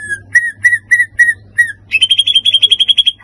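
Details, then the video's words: White-rumped shama song meant to provoke other birds: five clear, even whistled notes, then a fast rattling trill of high, bright notes and a lower closing note, with a soft hum beneath. "PACINGAN emosi murai batu pastol"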